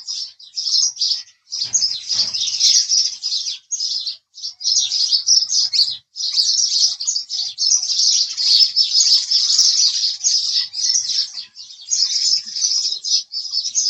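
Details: Sustained house sparrow chirping, an unbroken chatter of scratchy high chirps from several overlapping voices.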